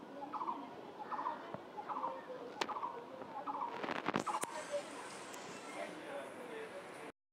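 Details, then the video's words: An unknown bird calls with brief, chattering mid-pitched notes that repeat at an even pace for a few seconds before handling clatter and rustling noise take over. "এটা কোন পাখির ডাক বলতো আমি বুঝতে পারছিনা"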